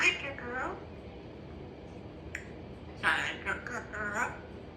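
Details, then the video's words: A talking African grey parrot, very chatty today, chatters in short, word-like bursts in a quiet room: a phrase at the start, a brief syllable, then a quick run of several syllables. "African Grey Parrot is very chatty today"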